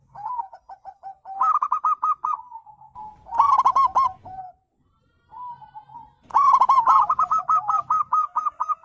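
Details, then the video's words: Wild zebra dove call, local and Bangkok birds, played to prompt other doves to answer: bursts of fast, bubbly rolling coos alternate with drawn-out, slightly falling notes, with brief silent gaps and a faint low hum beneath. "panggilan perkutut liar"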